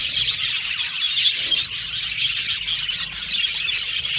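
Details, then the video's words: Budgerigars, a colony of Australian budgies in an aviary, singing and chirping together: a dense, continuous chatter of high warbles and short bright chirps overlapping throughout, with no pauses. "Budgies Singing and Chirping Sound"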